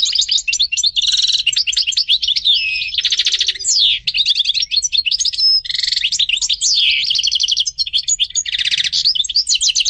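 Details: Continuous European goldfinch song, a fast, liquid twitter of tinkling notes, buzzy trills and quick slurred whistles running almost without a break.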